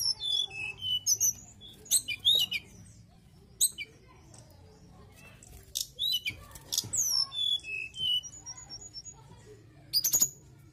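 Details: Mountain tailorbird in full, nonstop song: varied very high whistles, sliding slurs and rapid chirped trills in short bursts separated by brief pauses, over a faint low hum.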